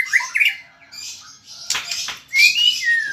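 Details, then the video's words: White-rumped shama song in a short burst: clear whistled notes, a harsh rasping middle section and a bright slurred whistle at the end. "Kicau Murai Batu Gacor"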